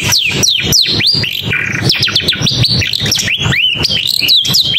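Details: Long-tailed shrike repeating loud, high whistles that sweep sharply downward, several per second, mixed with short buzzy notes, over rapid clicking noise.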